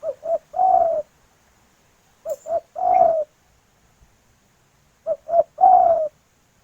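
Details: Three repeats of a female spotted dove's call to the male, each two quick muffled coos then a longer wavering coo, spaced roughly two and a half seconds apart.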